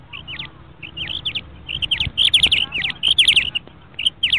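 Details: Female quails, a compilation of roughly a hundred females used as a lure for catching quail, give sharp, high, scratchy chirps in quick clusters of three or four, with short pauses, over a faint low hum.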